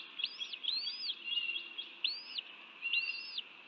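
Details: Bald eagle feeding chicks at its nest in a man-made wetland near Dallas, Texas, on 30 January 2024; high, squeaky up-and-down chirps in short bursts, four clear groups, with a faint steady hiss behind.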